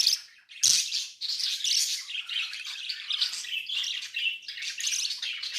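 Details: Budgerigar; begging call; chick begging adults for food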